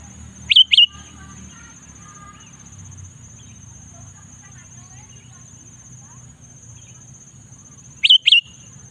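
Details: Sooty-headed bulbul in the afternoon: a quick pair of slurred whistled notes, a long gap with soft background murmur and a steady high whine, then the same two-note phrase again.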